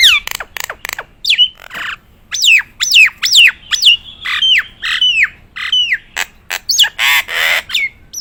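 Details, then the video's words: Nias hill myna song, a strong series of loud descending whistles repeated in quick succession, mixed with sharp clicks and one harsh raspy burst near the end. "burung jalak nias gacoran,suara istimewa"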